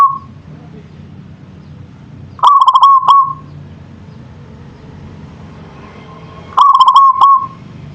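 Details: Local zebra dove song: two bursts of stuttered coos, each ending in a rolling, level trill, about four seconds apart, with a low engine-like hum throughout.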